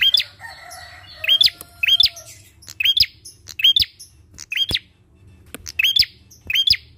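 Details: Bar-winged prinia calling actively, recording used as a lure to prompt other birds to sing: sharp, high, hooked chip notes repeated roughly every half to one second, with a faint lower tone early on and a low background hum.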